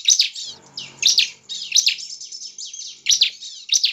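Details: Bar-winged prinia song, used to provoke other prinias into singing: rapid, high, chattering phrases of sharp notes in bursts repeated about every second with brief gaps, over a faint low hum.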